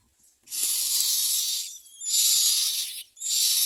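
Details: Myna nestlings begging while being fed: long, strident, hissy screeches, roughly one to one and a half seconds each, repeated back to back with brief gaps.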